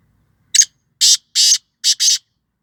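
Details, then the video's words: Black francolin from Sindh, Pakistan, giving five loud, harsh, grating notes in a quick rhythmic sequence, the last two closely paired, with silence around them. "Kala Teeter"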